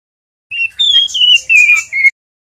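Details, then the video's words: Juvenile male white-rumped shama practising song: a single smooth phrase of clear, sustained whistles that steps gradually down in pitch, topped by faint higher twitters, lasting under two seconds. "SUARA MURAI TROTOL belajar bunyi ngeriwik"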